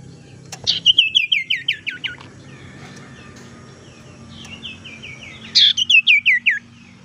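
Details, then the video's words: Tailorbird lure call meant for luring and for restarting song in birds that have stopped singing. Rapid descending series of bright chipping notes, a quieter buzzy passage, then another fast run of chips. "suara pancingan sirtu teras"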